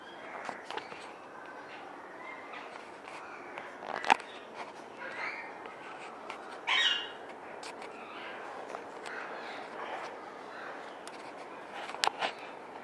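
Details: Military macaw breeding pair in an aviary gives a few brief harsh squawks, the loudest near the middle, spaced several seconds apart over a steady busy background hiss.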